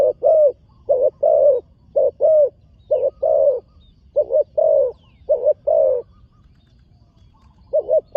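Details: Young spotted dove on its first time at a dirt competition ground keeps up a brisk series of mellow coos, short notes paired with longer ones, pausing briefly near the end before resuming.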